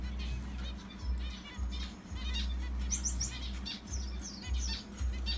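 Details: Two pairs of pet zebra finches, housed in a cage where they have laid eggs, give short, high, nasal chirps and quick twittering notes, several birds overlapping at an uneven pace, over a steady low electrical hum.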